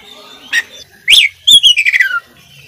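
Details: Oriental magpie-robin training-recording song from a lively singing bird full of fill phrases, described as a contest prospect: a short sharp note, then a loud rising-falling whistled sweep and a stuttering run of bright descending notes.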